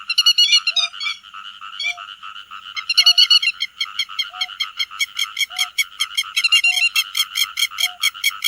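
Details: Flock calls of grey-headed lapwings, used to lure birds for netting: mixed harsh calls at first, then a long fast run of evenly spaced sharp notes, with a short lower tone recurring about every second.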